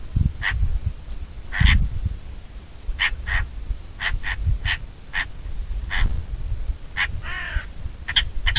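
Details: Bonelli's eagle giving short, harsh, clipped call notes, singly and in close pairs, spread irregularly over about nine seconds, with one longer wavering note near the end; steady low wind rumble underneath.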